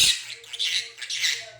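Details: Talking conure imitating a request for ice cream in Korean, loosely: a continuous scratchy, breathy rasp rising and falling in three or four syllable-like swells over a faint low hum.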